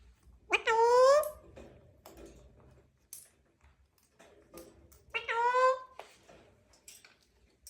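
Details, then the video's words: A pet talking parrot gives two loud, harsh, rising screechy calls about four seconds apart, with faint tapping and room noises between them. "Mithu mithu #talkingparrot"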